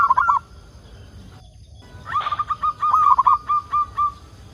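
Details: Local zebra dove serving as a lure to prompt other doves to sing: a brief coo fragment, a pause, then a steady run of short evenly spaced cooing notes.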